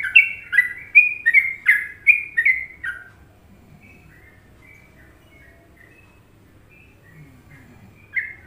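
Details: Sooty-headed bulbul song in the popular trucukan tune style: a run of seven loud, bubbly whistled phrases over three seconds, then faint scattered notes and a final bright phrase near the end.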